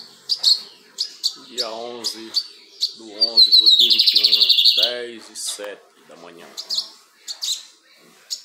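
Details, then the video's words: Adult male lined seedeater in full plumage, singing and calling: crisp high chirps, a thick buzzy trill midway, then scattered chirps, with lower nasal harmonic notes from another source in the background. "Bigodinho encapado cantando e piando!"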